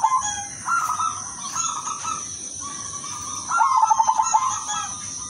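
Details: Female silver zebra dove calling to males, kept as a lure to draw replies: low, even cooing phrases, then a rapid stuttering burst of pulsed coos near the end, with a steady high-pitched whine behind.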